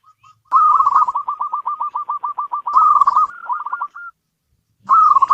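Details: Local zebra dove kept in a house: a steady series of soft, quick cooing pulses, a rising louder phrase, silence, then another loud burst of coos.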